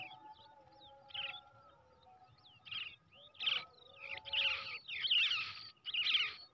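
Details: Hand-raised young brown shrike reared from an egg: a few scattered scratchy calls, then louder, longer harsh bursts close together in the last seconds, with a low steady hum.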